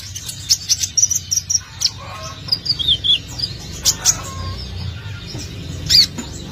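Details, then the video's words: Olive-backed sunbird singing hard, recorded as a lure to attract birds: a rapid string of high thin chirps, then descending twittered notes and scattered ticks, ending on one loud high call, over a low hum. "Kolibri ninja || konin gacor abis bikin pancingan"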